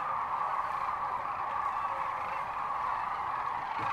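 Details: Sandhill cranes calling en masse at Rowe Sanctuary in Gibbon, Nebraska, near Kearney, on March 13, 2014: a dense, unbroken chorus of rolling, trumpeting calls that merge into a steady roar.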